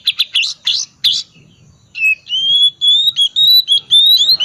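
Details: Oriental magpie-robin song in ngriwik twittering style, used as a lure to prompt quiet magpie-robins to sing: a second of harsh buzzy chirps, then a long run of clear high whistled notes that slide and rise.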